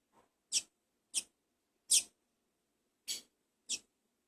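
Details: A Double-collared seedeater chick, a first brood being fed, gives five harsh, hissy, high-pitched rasps, spaced unevenly about once a second, with quiet between them.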